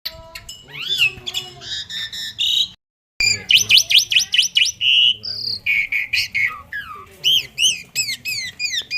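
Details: Asian pied starling singing a varied, rapid medley of whistled rising and falling notes, raspy bursts and chattering phrases, broken by a brief silence.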